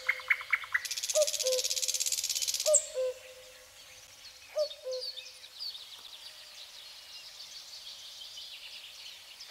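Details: Common cuckoo in spring repeating its two-note cu-coo, the second note lower, three times at roughly one-and-a-half-second gaps, with a loud buzzing burst and chirping birds in the background.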